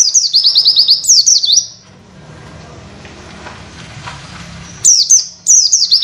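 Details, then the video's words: Oriental white-eye tutor (masteran) song for training other birds, 'witwit' material: rapid series of high, sweet whistled downslurred notes, many per second, then a quiet pause with low hum before the whistling resumes. "Masteran pleci nembak materi witwit"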